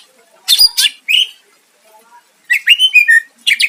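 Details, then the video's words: Greater green leafbird in vigorous song to provoke a rival. Harsh chattering bursts and a rising whistle, a short pause, then a quick string of liquid whistled notes and a final scratchy burst. "Cucak ijo gacor mancing lawan dijamin Nyahut"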